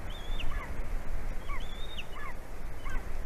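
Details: Golden eagle in Latvia calling for its mate ahead of mating, 11:09 AM on 9 February 2020: high whistled notes sliding downward, with lower chattering call pairs following, three bursts over constant low background rumble.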